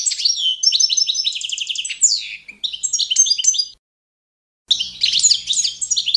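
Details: Carduelis carduelis balcanica, the Balkan goldfinch, singing a competition-standard training song: a long phrase of high slurred whistles and rapid trills, a second-long silence, then lively twittering resumes over a faint low hum.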